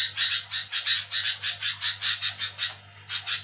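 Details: Sooty-headed bulbul chattering noisily at night while people sleep: harsh, raspy bursts repeated about three times a second, briefly pausing near the end, over a steady low electrical hum.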